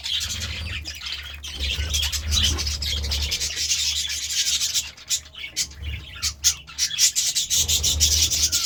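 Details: Budgerigars in morning chatter: a fast scratchy stream of high chirps, later breaking into separate clicky bursts, with a low steady hum below.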